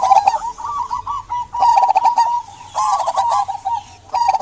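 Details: Zebra dove of local stock in full voice, used as a lure to get quiet doves singing; strings of quick, rolling coos broken by short pauses, each burst joined by brief clicking noises.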